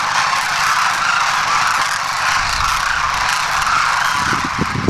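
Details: A large flock of wintering demoiselle cranes at a bird-feeding village, Khichan, Rajasthan, India, makes a continuous, dense din of overlapping rolling, trumpeting calls; no single call stands out.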